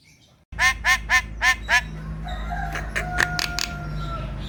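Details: Javan myna song played to provoke lazy, silent kept birds into singing: five loud, harmonic, nasal notes in quick succession, followed by thinner whistled tones and clicks over a steady low background hum.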